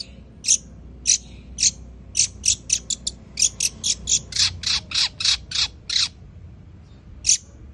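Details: Long-tailed shrike from Madura, a vigorous fighter-type bird, singing in the Greja sambung Kunti style: harsh, high, scratchy notes in quick irregular bursts, about nineteen in a run with a brief pause before the last two, over faint low hum.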